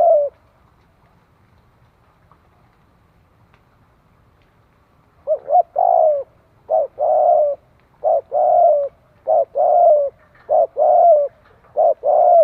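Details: Near silence for five seconds, then a Spotted dove used for decoy training breaks into a fast series of about six phrases, each a short hoot followed by a longer low coo.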